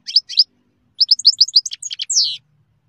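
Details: European goldfinch song phrase: two quick chirps, then a rapid string of sharp twittered notes ending in a drawn-out, buzzy, falling slur. The background is quiet.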